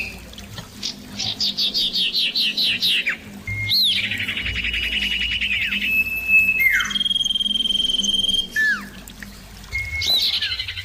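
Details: Clear, loud common iora song meant as a lure to set other ioras calling back: rapid repeated buzzy trills, steady high whistles and sharp downslurred notes in bursts, with a faint low hum underneath.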